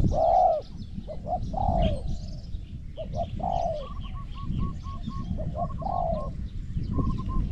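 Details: Competition Zebra dove cooing for points: several rolling coos in short groups, with a rapid string of small higher notes from another bird partway through, against steady outdoor hum.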